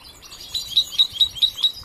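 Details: Young European goldfinch in training, giving a short series of six clear high ringing notes, evenly spaced about every fifth of a second.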